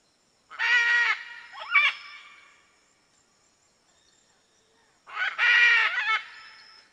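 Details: Red-and-green macaw giving two loud, harsh, raspy squawks about four seconds apart, each about a second long with a short rough tail note; quiet between calls.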